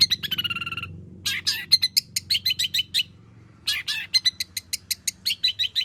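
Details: Long-tailed shrike in full voice, its song packed with borrowed material, played to draw other birds into singing: a rapid stuttering rattle with steady tones, then scratchy chattering bursts and evenly spaced sharp chips, separated by short gaps, low hum behind.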